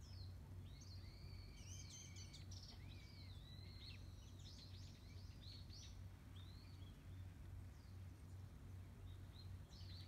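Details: Warbling white-eye calling on a wooded hillside behind a house, as the first calls of the season begin, giving thin, high chirps and short twittering notes scattered through the first half and again near the end, over a steady low hum.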